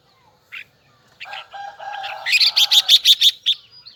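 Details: Red-whiskered bulbul, Huế type, with a high double twisting song. A single chirp and a soft lower warble build into a fast series of loud, evenly spaced sharp notes, about six per second.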